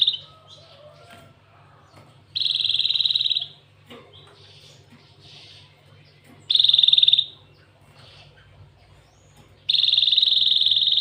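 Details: Cinereous tit singing canary-style phrases, known as isian kenari: three loud, high, buzzy trills, each lasting about a second, separated by quieter pauses with faint twittering and a low steady hum behind.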